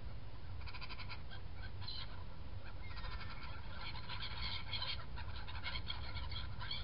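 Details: Black-headed gulls feeding and flying, 21 January 2017. Many birds call at once, short nasal squealing notes piled together and repeating throughout, set against steady low-pitched wind roar.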